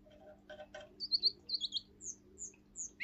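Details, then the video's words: Young male Russian singing canary, seven months old and of a pure singing line, performing the forest tune. It opens with short clicky notes, then gives paired descending whistles, then high thin whistles repeated about every half second, ending on a rising note. A faint low hum runs underneath. "Русская певчая канарейка. Лесной напев."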